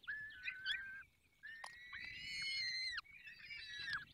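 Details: Falcons at their nest in the Barycz Valley at feeding time: three drawn-out, harsh, whining calls, the middle one longest and slowly falling at its end, with faint clicks between them.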